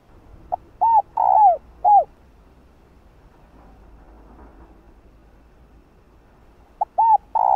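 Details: Female spotted dove calling a male with a mellow phrase of quick arched coos and one longer falling note, followed by several seconds of quiet before another phrase starts.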